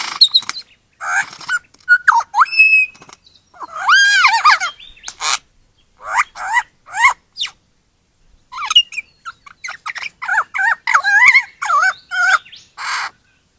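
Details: Australian forest lyrebird singing a mixed sequence of bursts. Harsh, noisy notes alternate with curved, warbling whistled phrases, broken by short pauses.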